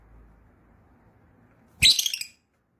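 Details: Yellow lovebird giving a short burst of harsh, high chirps lasting about half a second after a quiet stretch of faint background hum.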